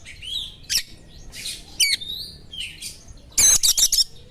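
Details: Oriental magpie-robin song built from sharp imitated small-bird notes, meant to provoke another magpie-robin: scattered whistles and buzzy rasps, then a loud rapid stutter of high harsh notes near the end.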